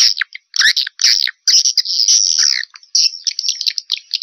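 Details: Swiftlet calling sound from 2021, used to lure swiftlets: dense bursts of high, dry chirps and twitters in short clusters separated by brief gaps, with some buzzy trills toward the end.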